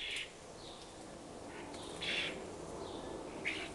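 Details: Juvenile common starlings from a family nesting four storeys up beg while following their parents around a fat ball; harsh, hissing rasps in short bursts, one loud at the start, a few quieter ones after, over steady background hum.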